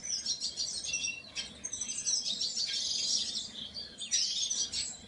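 Painted bunting giving high, sweet, fast chirps and warbled notes almost without pause. Other small birds may be chirping along with it.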